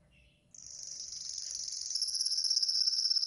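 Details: Yellow golden canary in a training song, a brief soft note, then a very high, thin, buzzing trill that swells gradually louder over about three seconds.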